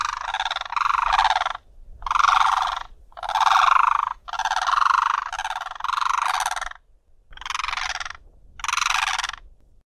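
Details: Blue Cranes in the southern Karoo give loud, harsh, rattling croaks, each about a second long, repeated in a ragged series with short pauses between.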